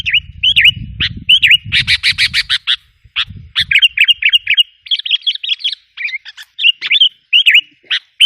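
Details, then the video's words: Sooty-headed bulbul used as a lure for wild birds: repeated dipping, slurred notes mixed with a harsh rapid rattling burst, with low rumbling noise during the first few seconds. "suara pikat kutilang"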